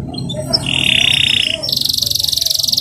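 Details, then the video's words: A young local canary, a loud-voiced bird set out in the morning sun to sing higher, sings a fast, even rolled trill, then switches to a higher, quicker buzzy roll over a low hum. "RIWIKAN KENARI LOKAL DI PAGI HARI"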